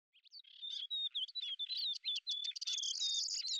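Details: Lesser grey shrike in hunting flight: a fast, chattering babble of high whistled notes and short scratchy chips, with thin rising and falling whistles woven through an unbroken stream.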